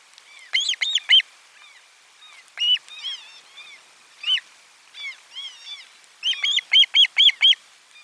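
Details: Osprey at nest camera 4 on 12 July 2022, lunchtime fish delivery; series of sharp, arched, whistled chirps, fast bursts of four to five notes, then scattered single notes and a closing rapid run.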